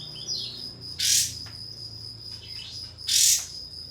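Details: Pied fantail (kapas tembak) used as a lure that calls a rival and prompts it to open its tail and sing: two loud, harsh broadband bursts about two seconds apart, with faint thin chirps and a steady high tone behind.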